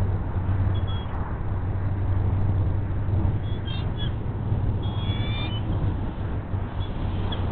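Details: Nest camera audio of a hungry female bald eagle excited as the male delivers a fish at the Hays nest: several brief, thin, high-pitched squeals and chirps in short bursts over a heavy, continuous low roar.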